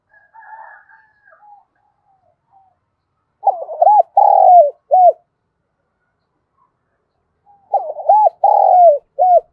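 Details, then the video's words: Captive decoy spotted dove calling in the morning to lure wild doves, its voice described as well suited for attracting them and in the 'giọng thổ' style: two bursts of quick, rounded, repeated coos about four seconds apart, after soft faint notes at the start. "Chim Cu Mồi gáy gọi bổi buổi sáng, giọng hạp bổi"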